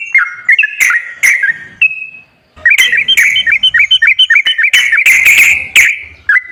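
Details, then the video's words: Sooty-headed bulbul song played to coax a reluctant bird into singing: bubbly whistled phrases, a pause, then a quick run of repeated chirping notes with sharp clicks mixed in. "TERAPI BURUNG TRUCUKAN MALAS BUNYI//ISIAN PANCINGAN TRUCUKAN YANG MALAS BUNYI"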